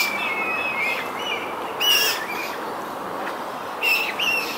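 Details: Wild Eurasian coot family captured with a Sony RX10 III camera: short high squeaky notes in small bursts, a pair of quick peeps at the start and again toward the end, separated by sharp ticks and constant hiss.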